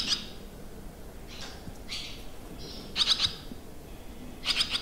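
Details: Barn swallows at a campsite in the Limousin countryside, France, on 25 June 2023, around modern buildings, give short, high twittering chirps in quick clusters of three or four, repeated every second or two over a low background hum.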